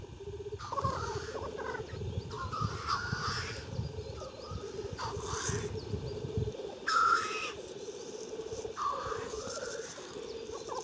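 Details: Black grouse displaying on a lek at Klassino, Omsk, Siberia, 2018: a constant low bubbling chorus underlies loud, harsh hissing whooshes repeated every two to three seconds, some ending in a short whistled note.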